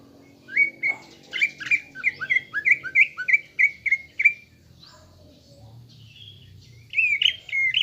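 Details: Greater green leafbird lure song for caged birds, intended to build a fighter mentality: a long run of about a dozen rapid whistled slurs, a quiet gap, then a final burst of loud chirps.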